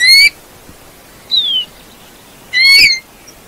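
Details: Three clear whistled notes from a Eurasian bullfinch: a rising slur, a gently falling one, then a longer wavering note, each roughly a second apart against background hiss.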